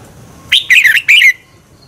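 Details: Single fast phrase from a red-whiskered bulbul in the double-twist singing style, used as a lure to push birds into competition singing: three linked, warbling whistled notes twisting down and up, lasting under a second.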